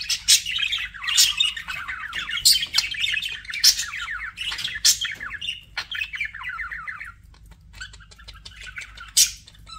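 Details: Pet budgerigars chirping indoors: fast, high warbling chatter broken by sharp squeaky chirps roughly every second, with softer twittering runs in between and a quiet stretch near the end.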